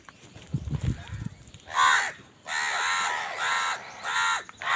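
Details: Crows fighting for food let out long, drawn-out hoarse caws, four in a row after a brief low rumble of background noise, each call sustained and rasping.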